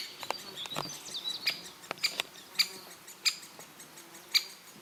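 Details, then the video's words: Great spotted woodpecker calling in Elatia Forest, Greece: single sharp, high, abrupt 'kik' notes spaced about a second apart, growing clearer and louder toward the end over a quiet forest backdrop. "Great Spotted Woodpecker in Elatia Forest-Hellas"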